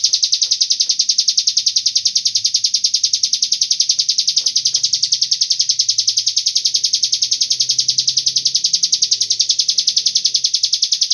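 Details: Cigun sound played as a lure so other birds will join in calling: an unbroken, shrill, buzzing trill of fast regular pulses, steady in loudness throughout, over a faint low murmur of background noise.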